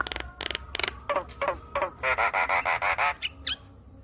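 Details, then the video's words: Asian pied starling song meant to calm a stressed bird: loud broadband harsh rasps, then a quick run of six buzzy nasal notes and a final squeak. "Terapi Jalak Kebo Stres Agar Cepat Gacor Dengan Kicauan Jalak Kebo"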